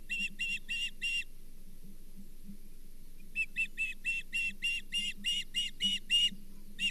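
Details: At its Charlo nest on 24 April 2023, an osprey holding a brown bullhead gives four quick whistled chirps, pauses about two seconds, then a longer steady run of sharp, repeated chirps over a constant low hum.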